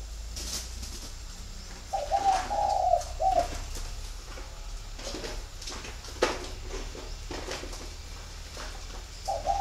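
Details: A flock of spotted doves at a bird garden in Ba Vì district, Hanoi, Vietnam; one husky three-part cooing phrase sounds early, then scattered knocks and clicks, and a fresh coo begins right at the end.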